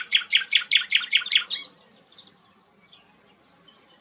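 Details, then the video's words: Rare flycatcher called sikatan londo giving a fast series of about eight sharp, evenly spaced high chips, followed by softer, thin twittering notes. "burung langka sikatan londo"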